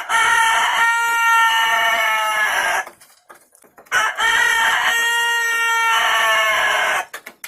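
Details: Rooster with an unusual voice crowing twice: each a long, drawn-out, steady harmonic cry of almost three seconds, separated by a short pause with faint rustling.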